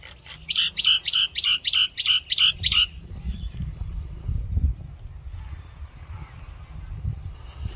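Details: Common myna, also called Indian myna, singing: a quick run of about eight bright, evenly spaced chirping notes over two and a half seconds, then the voice stops, leaving a low background rumble.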